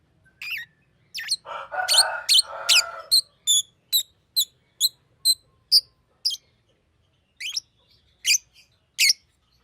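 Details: Green lovebird calling with a run of clipped, high chirps repeated roughly twice a second, interrupted early by a lower harsh chattering burst.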